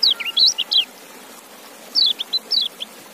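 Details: White-eye, locally kecial, singing two short phrases of bright, high, wavering whistled notes, each about a second long, separated by a brief silence.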